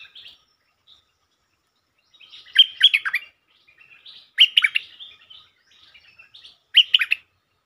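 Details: Territorial Stripe-throated bulbul reacting to provocation: three loud, clipped bursts of sharp chirping notes spaced roughly two seconds apart, with faint twitter between them and otherwise silence.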